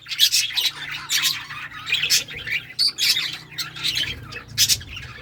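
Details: Lovebirds of assorted colour mutations chirping and squawking together, a dense chatter of harsh, high, buzzy notes in quick bursts with brief pauses, several birds overlapping, and a low steady hum underneath.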